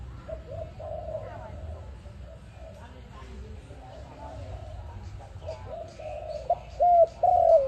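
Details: Dove calling for use as a trapping lure. Soft, muffled coos drift through most of the recording, then a loud, clear phrase at the end: a short hooked note and a longer falling coo.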